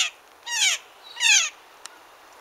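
A blue jay gives two harsh, nasal, slightly falling 'jay' screams about three-quarters of a second apart, followed by a faint click.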